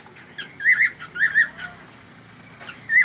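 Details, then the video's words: Pet cockatiel giving a few short chirped notes in pairs, with a quiet pause before a final chirp; faint room noise behind. "Cute cockatiel"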